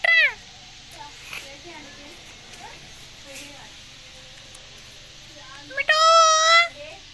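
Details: Rose-ringed parakeet kept as a talking pet in India: a quiet stretch with faint murmurs, then one loud, nasal, harmonic-rich drawn-out call near the end.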